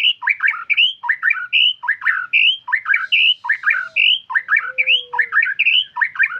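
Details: White-rumped shama in lively, nonstop 'gacor' song: rapid repeated phrases of bright whistled notes, rising and falling between mid and high pitch, about seventy phrases a minute, with a faint low whistle underneath.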